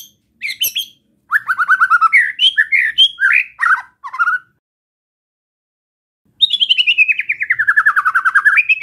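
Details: White-rumped shama giving besetan song to provoke other shamas: mixed buzzy and whistled phrases with quick notes, a long silence, then a fast descending trill of rapid repeated notes.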